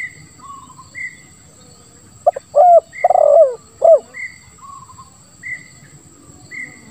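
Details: Spotted dove coo in the 'lambung kuk 1, suara ngeruk' style, a lure to make quiet doves start calling. One low phrase: brief note, rounded coo, long burred coo, closing coo. Small high chirps from another bird repeat throughout.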